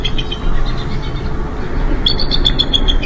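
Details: Bald eagle at its nest on 4 April 2015, day 35 of incubation during pip watch. Thin, high piping notes come in a fast, evenly spaced chattering series over a steady low rumble of background noise.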